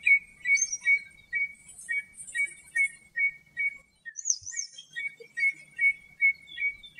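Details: Common redshank (Tringa totanus) in Greece repeats mellow, fluty piping notes, two or three per second in a steady run, with high, thin chirps from other small birds.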